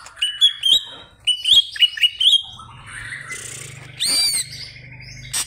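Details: Greater green leafbird calling out to an opponent with a quick run of bright, high whistled notes in two bursts, then softer sliding whistles and a harsh rasping squeal near the end.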